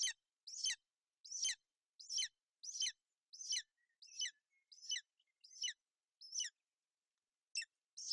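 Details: On a Bucovina nest on 28 May 2021, a female golden eagle keeps her chick warm and dry in rough weather while calling, and the chick chirps too: about nine high, strident yelps in quick series, a pause, then two more.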